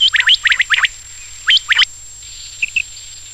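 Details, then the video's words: Quail calling after dark: a burst of four quick chirps, a pause, two more sharp notes, then softer trailing chirps against a constant faint high-pitched hum. "Night Batair Song / رات کے ٹائم بٹیر کی آواز / Raat ko Batair ki vice / Amaizing Quil Song"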